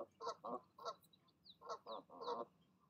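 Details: Goose parents in the evening urging goslings to take the leap from the nest, giving short nasal honks in quick succession, with thin high peeps between them.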